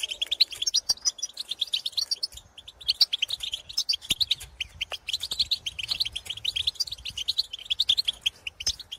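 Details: European goldfinch calls and twittering song from birds in the field, used to prompt caged goldfinches to sing: dense bursts of high, rapid chirps and liquid twitters, tumbling continuously with brief pauses, faint low rumble beneath.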